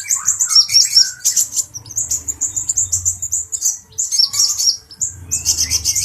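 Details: Excited male Brown-throated sunbird provoking a cucak jenggot: rapid, very high chattering of thin chirps and quick trilled bursts in short runs separated by brief gaps, with faint low rumble beneath.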